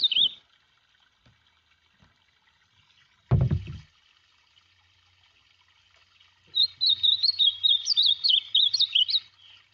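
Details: Ultramarine grosbeak song: a short warbled note at the start, a loud low thump near the middle, then a fast, looping whistled phrase of rising and falling notes lasting about three seconds.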